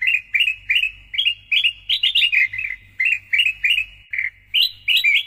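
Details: Loud Sooty-headed bulbul song recorded as master and lure audio for songbird keepers. Chirpy whistled two-note phrases repeat about twice a second, with a few higher rising phrases near the end and a faint low hum throughout.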